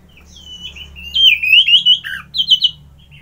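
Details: A continuous warbling run from an orange-headed thrush, wavering whistles rising and falling, a dip to a lower note, then a few sharp high notes at the end.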